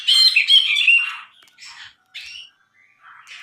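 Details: Bulbul (brinji) in lively song, recorded as a tutor for songbirds: a loud, harsh chattering burst, followed by several shorter scratchy, squeaky phrases separated by gaps.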